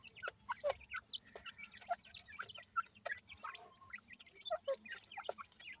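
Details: Partridge and pheasant chicks at a desi feeding give scattered high, thin, rising chirps, some paired, with occasional sharp clicks and a quiet low hum behind.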